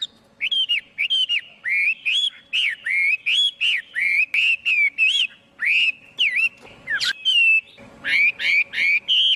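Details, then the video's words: Chinese hwamei song recorded without background noise: a fast run of loud, rich, slurred whistles, each note swooping up and down, delivered in quick succession with brief varied flourishes and a sharp accent in the middle. "Tiếng chim hoạ mi hót không tạp âm"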